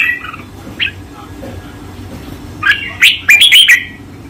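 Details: Red-whiskered bulbul master song: a few soft, scattered notes, then a loud bright phrase of rapid chirps and slurred whistles near the end.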